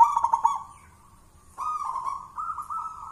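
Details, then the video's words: Contest-winning zebra dove, a wild-born local bird from Mojopahit on Java, raised in captivity. A quick rattle of clipped notes is followed after a pause by sustained, gently wavering coos. "suara perkutut lokal mojopahit sang juara lomba gacoran"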